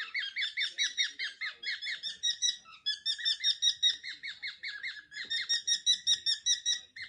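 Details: Several pet cockatiels, a household flock of males and a female, calling indoors during their energetic 'march'. Ringing, descending chirps come in quick bursts of about two to three per second, broken by short pauses near three and five seconds.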